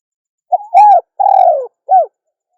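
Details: Single full cooing phrase from a female spotted dove: a short lead-in note, a strong rounded coo, a long gently descending hoot and a brief final coo. Quiet background.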